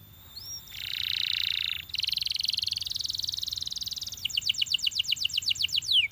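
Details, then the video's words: Champion canary delivering a long buzzy rolled tour, then a second rolling phrase, ending in a quick run of repeated sharp descending notes. "The Ultimate Canary Singing Video From a Champion"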